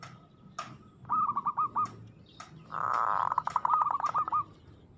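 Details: Local zebra dove giving an aggressive song: bursts of rapid, rolling cooing notes, one phrase stretched into a long trill. Background sounds are noisy and include some clicks.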